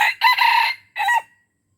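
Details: Red junglefowl from Aceh crowing, a sound used to lure wild junglefowl: two loud, harsh, harmonic bursts, the first longer and sustained, the second shorter with a clipped, falling end, then silence.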